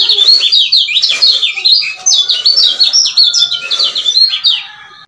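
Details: Male lemon-bellied white-eye of Lombok, used as a lure to excite a silent male back into song. It gives fast, continuous twittering of high, sliding whistled notes with no pauses for five seconds.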